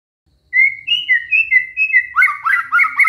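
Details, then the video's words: Shama imitating canary phrases: after silence, a string of clear level whistles alternating between two pitches, then faster overlapping descending slurred notes, repeated several times per second. "murai batu bongkar isian KENARI"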